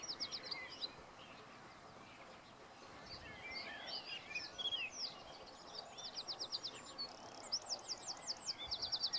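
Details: Common chaffinch singing outdoors, faint and distant: bright, high, rapid trilled phrases repeated in short bursts, growing louder toward the end, with other small birds chirping and a steady background hiss.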